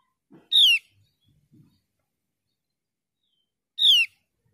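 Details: Two loud, rasping, falling notes from a Javan pied starling, used as a lure for a bird reluctant to call, separated by about three seconds of near silence with faint soft clicks.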